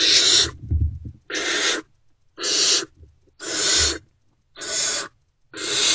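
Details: Unfed great horned owl owlets in a wild nest box, reacting to an adult's return around 5:30 am on 3 March 2024. Six breathy, grating screeches spaced about one second apart.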